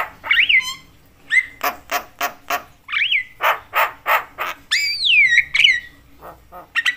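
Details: Javan myna calling loudly and chattily, said to provoke other mynas into agitated calling: whistled rising and falling notes mixed with a run of harsh, evenly spaced rasping bursts, then a long whistled slide.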